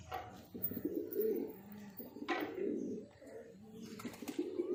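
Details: Low, rolling coos from a breeding pair of pigeons come in several bursts with short pauses between them. The sound is close and resonant, with a little faint background noise.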